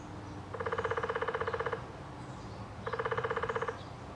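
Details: Two quick drum rolls from a Downy woodpecker at Lake Dallas, Texas, the first over a second long and the second slightly shorter, each a fast even rattle of taps, separated by a pause, with faint background hum.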